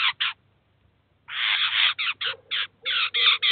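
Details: At a cheese feeder in Kaluga, Russia, a Eurasian jay brings its chicks to feed and learn; two short rasps, a pause of about a second, then a long grating burst followed by rapid hoarse calls with a faint low hum beneath.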